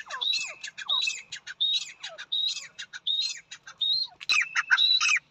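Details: Female francolin calling: loud, harsh, squawking phrases of rapid clipped notes, repeated without pause about every three-quarters of a second, with a single sharp click near the end and otherwise quiet surroundings.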